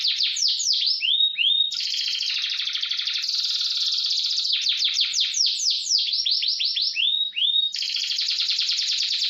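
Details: Canary singing a fast 'roll speed' training song meant to tutor other canaries, a loud high continuous run of rapid sweeping trills and buzzy rolls, switching between slurred descending notes and dense rattling phrases every second or two.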